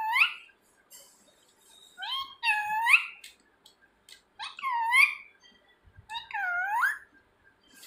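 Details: Pet talking parrot indoors, calling its owner's name and asking where they are; four loud, harmonic, speech-like phrases with bending, rising and falling tones, spaced about two seconds apart, with quiet pauses between.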